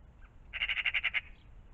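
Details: Morning magpie near a pond: a fast, grating chatter of around eight evenly spaced harsh notes, loud and clear against quiet low-pitched ambient noise.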